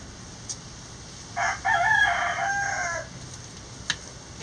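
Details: Loud backyard chicken vocalization in a coop, a harsh, buzzy call lasting about one and a half seconds, with brief clicks and taps before and after.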